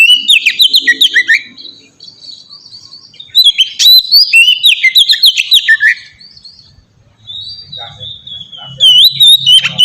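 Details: White-rumped shama singing in 'ngeplong' style, a lure to set other shamas singing: rapid whistled slides and chatter in bursts, a quieter gap, then a clear drawn-out whistle and renewed phrases, faint hum.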